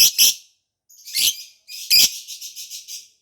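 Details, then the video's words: Lovebird song used to lure escaped birds and stimulate mating: three bursts of harsh, high chirping, the last a rapid run of repeated chattering notes. "KICAU LOVEBIRD MANTAP.., BUAT PANCINGAN ATAU MANGGIL BIRAHI LOVEBIRD LAIN"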